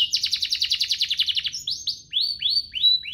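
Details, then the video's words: Canary song with luxurious phrasing, played to teach young canaries and spur singing: a rapid trill of downslurred notes for about a second and a half, then a few slower, separate whistled sweeps. "Cengkoknya MEWAH, Efektif buat Masteran kenari paud dan pancingan kenari biar gacor"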